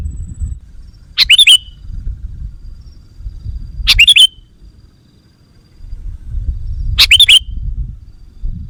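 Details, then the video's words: Sooty-headed bulbul call played to lure and excite wild bulbuls: three short, loud chirpy phrases with a sharp downward flick, spaced about three seconds apart over a low rumbling background. "Suara Burung Kutilang Pikat GACOR Sekali Putaran Kutilang Liar Auto Emosi!"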